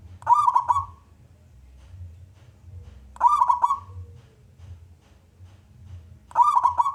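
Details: Local wild-type male perkutut, or zebra dove, in full song meant to prompt other doves to sing; brief bubbling trilled coos repeat about every three seconds, each ending in a soft falling note, with near silence between.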